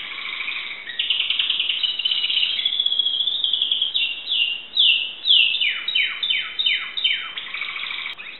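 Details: Greek Timbrado canary song: a sustained rolling trill, then a series of steep descending sweeps repeated roughly twice a second, ending in a dense rattling phrase.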